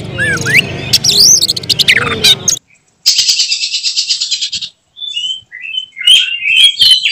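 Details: Oriental magpie-robin kept as a contest prospect: sweeping whistled arcs, then a short pause, a dense buzzy trill lasting over a second, followed by brief clear whistled notes and more varied phrases.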